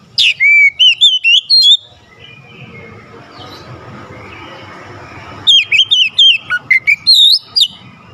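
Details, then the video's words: Oriental magpie-robin in energetic song to stir up a lazy bird: two bursts of loud, sharp, chopped whistles, each a run of about seven or eight quick notes, separated by a quieter pause with faint background sounds. "Kacer gacor cocok untuk nambah emosi Kacer malas bunyi"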